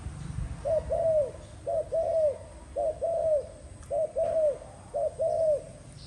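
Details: Five evenly spaced spotted dove phrases, each a quick soft coo joined to a longer, bowed, mellow coo, roughly one phrase per second, with faint low hum.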